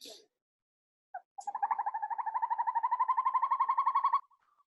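Northern Hawk Owl: a rapid, rolling trill of about ten hoarse notes a second, lasting nearly three seconds and rising slightly in pitch, after a few short preliminary notes.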